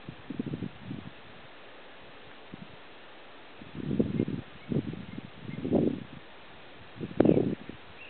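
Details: Black grouse at a lek near Kuusamo, Finland, in June 2008, giving low, muffled bubbling bursts roughly every second or two, with a harsher rasping note near the end.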